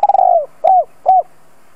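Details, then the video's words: Spotted dove decoy calling to attract wild doves: a rapid stuttering coo that slides down in pitch, then two separate, smooth, arching coos in quick succession. "Tiếng chim cu gáy gọi thúc bổi nhanh lên mồi"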